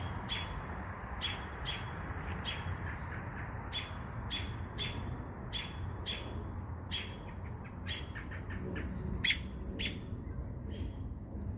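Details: American robins mobbing and harassing an owl: sharp, short, high clicking notes given in irregular bursts, some in quick pairs or triplets, over a steady low outdoor rumble.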